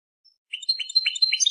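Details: Short snatch of European goldfinch song, described as Persian, made of quick tinkling chirps and buzzy twitters starting after a brief silence.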